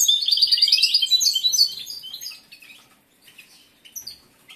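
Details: Male European goldfinch in breeding condition, caged competition singer, delivers a dense burst of high twittering trills for under two seconds, then falls to scattered faint chirps.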